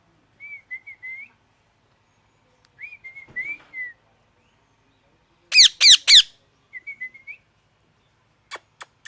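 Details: Parrot chirping: soft, warbling whistled notes in short bursts, then three loud harsh rising-falling squawks in quick succession, followed by more soft chirps and a few sharp clicks.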